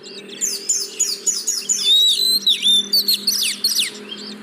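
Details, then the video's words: Oriental magpie-robin song, a lure for caged birds unwilling to sing: rapid series of very high scratchy notes, then a sustained whistle and quick descending chirps. "Pancingan Burung Kacer Yang Malas Bunyi"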